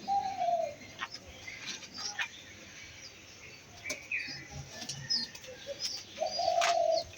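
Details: Two white pigeons, with a drawn-out tonal coo at the start and another near the end, separated by several seconds of scattered small-bird chirps and clicks.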